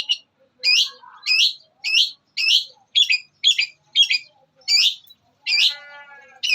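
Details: Long-tailed shrike master song with mimicry, used for training songbirds: harsh, squawky high notes delivered in separated bursts about every half second, each a scratchy downward-twisting call, with a softer harmonic tail near the end.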